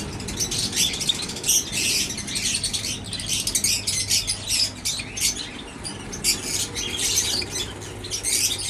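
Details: Aviary-kept Java sparrows chatter continuously in bright, high clicking and twittering bursts over a steady low electrical hum.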